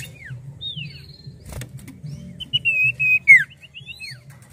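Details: Common Iora, actively singing, gives a few soft slurred whistles, then a short run of clear notes ending in a falling slur, over a low background hum.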